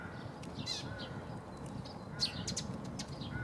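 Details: Tree sparrow recorded 9 March 2015 at Bundek in Zagreb, Croatia, uttering a few sharp, slightly descending chirps, with a faint harmonic call from another bird and low background rumble.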